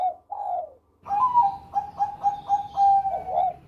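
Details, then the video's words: Bangkok-type zebra dove with a melodious cengkok Susi Susanti song: two short low coos, then a rolling sequence of rapid, pulsing coos on a steady pitch, ending in a dipping note. "Perkutut Bangkok Gacor Suara Merdu Cengkok Susi Susanti Juara"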